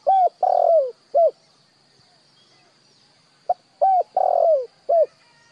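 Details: Two repeated cooing phrases from a spotted dove, a call played to train decoy birds. Each phrase has a short note, a coo, a longer falling coo and a closing coo. A steady high electronic tone runs underneath.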